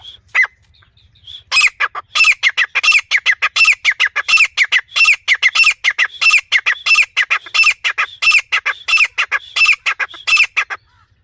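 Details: Female grey francolin (teetar) calling in jungle: a loud, harsh, high-pitched run of rapidly repeated scratchy notes lasting about nine seconds, preceded by a few short notes.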